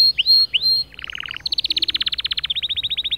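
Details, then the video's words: White male canary singing to motivate other birds: two loud swooping whistles, a lower rapid rattle, then a high fast trill and a slightly lower rolling trill. "أفضل 8 دقائق تحفيزية ذكر كناري خرافي"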